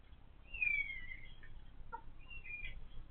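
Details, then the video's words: Laying hens, noisy since they started producing eggs: a short, bright descending squeal, a brief low cluck, then a fainter second squeal, with a low rumble underneath. "They say roosters are loud, so are hens"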